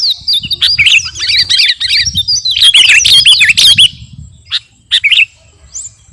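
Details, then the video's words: Energetic song of a sooty-headed bulbul, the garuda kutilang variety, meant to train captive birds: a busy four-second burst of crowded chirps and twittering slurs, then scattered single notes before fading out. "KUTILANG GARUDA GACOR..!! SIAP TEMPUR KICAUAN"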